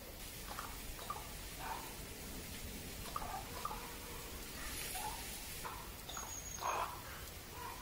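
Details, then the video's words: A common raven makes strange clattering sounds: a series of short, hollow clacks and knocks, spaced irregularly about half a second to a second apart, over a steady outdoor hiss. "Kruk oraz dziwne jego odgłosy klekotania"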